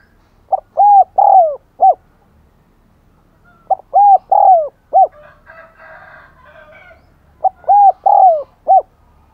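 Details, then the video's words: Spotted dove kept as a decoy, cooing eagerly to provoke and lure wild doves: three low, hollow four-note phrases (short, two long, short) about every 3.5 seconds, with a brief burst of higher chattering between the second and third. "Chim Cu Mồi Thúc Gáy Gọi Mới Nhất / Kích Bổi Siêng Gáy , Có Cả Thúc"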